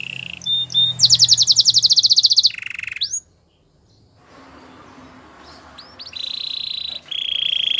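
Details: Caged canary singing in a training recording: a short buzzy note, a fast trill of bright repeated notes, a gap of near silence, then steady high whistled tones. Faint low background hum.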